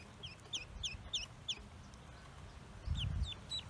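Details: Newly hatched Pekin ducklings on a farm make quick high, downward-slurred peeps in a short series, a pause, then a few more peeps over low thuds and rustling.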